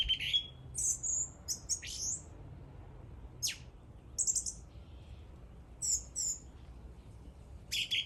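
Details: A bird gives scattered high, thin chirps and sharp downward-swept notes, separated by short pauses, over quiet low background noise.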